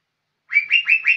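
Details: Young lesser green leafbird singing persistently, with four slurred, whistled notes in quick succession, each rising slightly and linked into a short phrase.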